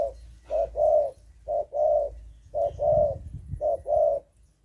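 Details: A young spotted dove being trained to come down to the ground gives low, soft hooting coos in short paired phrases, a brief note then a longer one. They repeat about once a second, with a faint low rumble.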